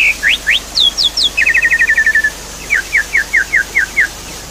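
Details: Javan pied starling song from a lure track for a bird stuck silent. Quick downward chirps, then a fast even rattle of about twelve notes, followed by a steady series of clipped downslurred notes roughly every quarter second.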